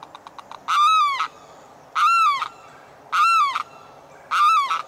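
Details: A Limpkin calls in the morning, apparently for its mate: loud, harsh wailing cries, each about half a second and bending downward, repeated roughly every 1.2 seconds; a few faint clicks come first.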